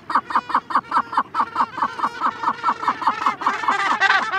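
A Cape Gannet chick begs with rapid, harsh, nasal calls, several per second and unbroken, while adults call more coarsely in the background toward the end.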